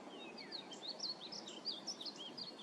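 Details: Painted bunting (Passerina ciris), song.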